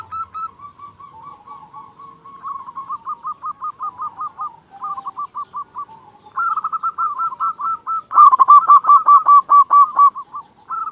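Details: Local Indonesian zebra dove, a frequent caller with a big voice, used as a lure to make quiet doves call: rapid chains of short cooing notes that speed up and grow louder, with the strongest staccato burst near the end.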